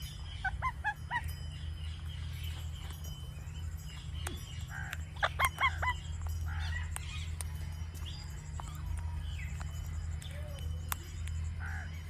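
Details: An Indian ringneck parakeet gives natural sounds: quick clusters of short, bright harmonic chirps, two bursts a few seconds apart, with scattered sharp clicks and a steady low hum throughout.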